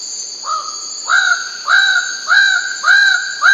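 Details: Bird-of-paradise, or cendrawasih, calling loudly: a series of five clear, ringing notes, each rising quickly and then held level, repeated about every 0.6 seconds over a steady high insect whine.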